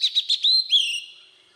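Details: Forest-style Oriental magpie-robin song used to stimulate newly caught birds: four fast clipped chirps, then a long sustained whistle and a rising-then-falling slurred note trailing off.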